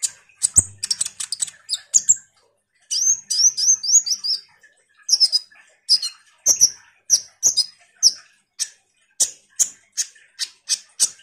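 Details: Common iora in fast chattering song, played as a lure to set off kolibri ninja birds: quick high twitters, a run of repeated buzzy rising notes, then steady high chips roughly twice a second.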